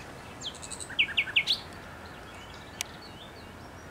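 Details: Thrush nightingale singing in bushes on 8 May 2021: a short burst of loud, clipped, repeated notes descending in pitch, with faint high chirps and background hiss.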